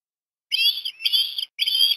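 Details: Osprey chick at Port Lincoln, Australia, on 17 December 2021, being fed fish at breakfast; three bursts of high, thin whistled chirps with a bright ringing overtone, separated by short pauses.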